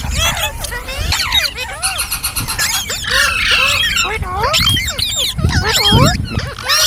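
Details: Ringneck parrot giving funny sounds and talk-like calls: curving whistled slurs and squeals tumbling together, with a low engine-like rumble from traffic underneath.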